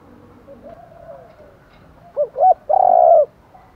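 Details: Morning cooing of a spotted dove, used to attract wild doves; faint coos are followed by two short notes and one long, steady, loud coo over a hum.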